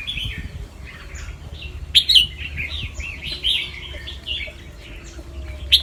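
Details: Fancy albino Red-whiskered bulbul, white-plumaged and red-eyed, kept caged on a Chonburi, Thailand farm and bred for singing competitions, delivering quick warbling phrases with sharp bright notes at intervals over faint background hum.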